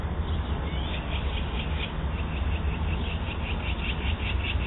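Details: Magpies playing in a yard, caught on a home security camera: a harsh, rattling chatter of rapid dry notes, about three per second, running steadily through the clip over a heavy low rumble.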